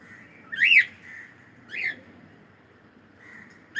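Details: Cockatiel making a loud up-and-down chirp, a softer repeat about a second later, then another chirp cut off at the end, with faint steady whistling notes between.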